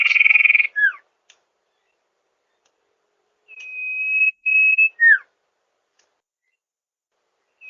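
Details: Sirtu call recorded as a master for luring birds in rice fields. A loud, rough burst and a falling slur come first. After a pause, a buzzing trill broken into two parts ends in a downward-swooping note.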